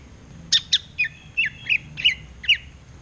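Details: Greater green leafbird in full ngerotek chatter, sung as the bird faces a mirror: a string of about seven short, sharp, chirping notes spaced roughly a third of a second apart, with a faint steady hum behind them.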